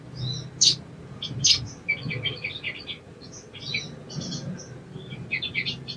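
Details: Softer, more distant spiderhunter twittering: scattered high chips and short trilled phrases with two sharper notes early on, used to coax birds to sing; steady low background noise.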